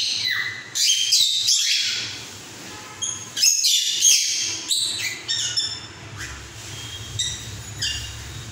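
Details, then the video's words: Cockatiel giving a mating-call song: bursts of high chirps and whistled notes with short squawks, irregular phrases, over a low steady hum. "Cocktail singing with matting call sign"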